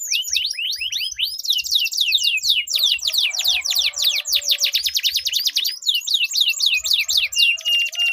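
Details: Two canaries in a melodious singing duel, a long rolling performance to draw song from silent birds: fast repeated high sweeping notes, rattling trills, and swooping whistles that fill the whole stretch without pause.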